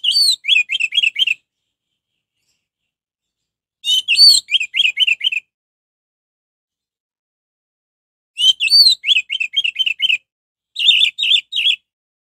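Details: Lively orange-headed thrush, recorded as a lure to make others sing: four separate phrases of rapid, repeated whistled notes, each opening with a looping higher note, spaced by pauses of several seconds.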